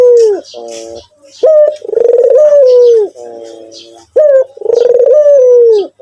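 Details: White Barbary dove cooing actively: a short rising note, then a long rolling coo that rises slightly and falls away, ending in a softer buzzy tail, repeated twice in a quiet indoor setting.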